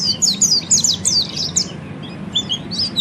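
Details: Peleci (Oriental white-eye) training song in ngeriwik style: quick high squeaky chirps about three per second, fading briefly then resuming with sharp whistled notes, over a low hum.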